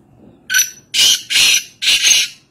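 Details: Kaala Teeter or black francolin at Nawabshah, Pakistan, delivering one loud, close phrase: a short harsh opening note followed by three longer, broad, grating rasps at an even pace.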